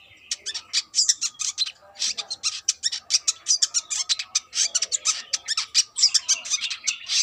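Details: Speckled brown-throated sunbird, said to be a female calling to a male, in a chatty bout: fast, continuous, very high twittering of clipped chips and squeaky notes, uneven in rhythm, with a faint low murmur of voices.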